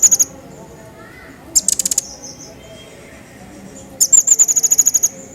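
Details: Crecet jawa singing actively, recorded to train other songbirds: short bursts of very high, rapid ticking notes, one brief burst then two trills of about ten evenly spaced notes, over a faint steady background hum.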